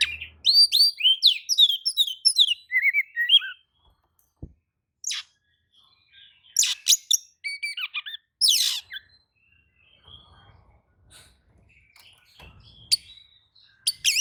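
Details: Oriental magpie-robin responding to another's song: an opening burst of quick, varied whistles and rising slurred notes, then sparser sharp chips and buzzy strokes spread through quieter stretches.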